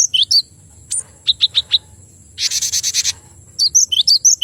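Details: A male cinereous tit sings paired sweeping whistled notes, then four sharp evenly spaced chips, a dense buzzy rasping burst, and more two-note whistled phrases.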